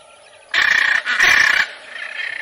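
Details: Macaw uttering two loud, rasping squawks back to back, each about half a second long, then fading into faint background calling.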